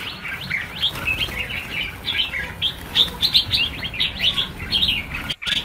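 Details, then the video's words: Released red-whiskered bulbuls, about a thousand of them, fill the air with rapid, overlapping bright chirps and short warbled phrases, rising and falling in quick pulses, barely any gap between notes. "Phóng sinh 1000 con chim chào mào - chào mào căng lửa"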